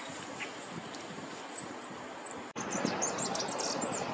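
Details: Goldcrest singing in Korea in early March 2024, where it winters: faint, very high, thin notes at first, then a sudden louder stretch of rapid, high, tinkling notes over rustling background noise.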